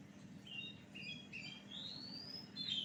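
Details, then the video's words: Oriental magpie-robin lure song: a few short flat whistled notes, then one long smoothly rising whistle and a brief bright ending phrase, all over a steady low hum. "Pancingan Kacer Gacor"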